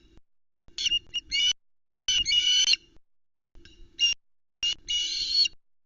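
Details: At a Loch Arkaig osprey nest on an August 2019 evening, two young sisters waiting for supper protest when the male brings a tiny fish. Four loud, grating, squealing outbursts come over six seconds, separated by brief quiet gaps.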